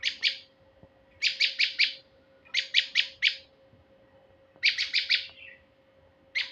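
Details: Male prinia call used to lure birds. Quick groups of four or five scratchy, high chips come roughly every second and a half. A low constant hum runs underneath.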